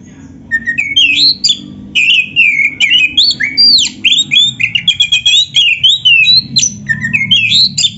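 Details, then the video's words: Energetic Oriental magpie-robin song in the kacer competition style, meant to make rival birds respond: an unbroken stream of rich, varied whistled notes, upslurs and downslurs, delivered quickly and loudly throughout. "SUARA BURUNG KACER GACOR ISIAN JUARA ‼️ - Stel suara ini BIKIN KACER LAIN CEPAT NYAUT"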